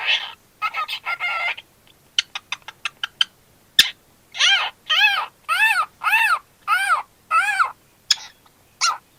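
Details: A pet cockatiel gives a run of quick chirps, then loud arched whistles repeated about twice a second.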